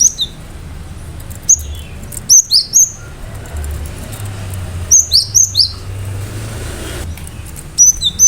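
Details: Cinereous tit (gelatik batu) belting out sharp, energetic song used to rouse other birds into singing; repeated groups of three to four high, clipped whistled notes dropping at the end, separated by short silences, steady low hum beneath.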